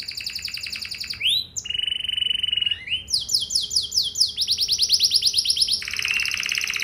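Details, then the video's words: Domestic canary song used as a lure to prompt other canaries to sing back: rapid trills of repeated downslurred notes alternating with steady whistled tones and buzzy rolls, high and bright throughout. "Burung Kenari Lain Bakal Langsung Nyaut! Pancingan Burung Kenari Lagu Mewah Cengkok Joss"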